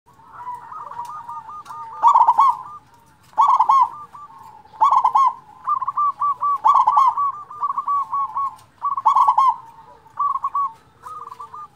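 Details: Loud-voiced local zebra dove song, used as a lure to rouse reluctant zebra doves into singing: rolling stuttered coos near one pitch, punctuated by stronger bursts roughly every one and a half seconds, with a low background hum.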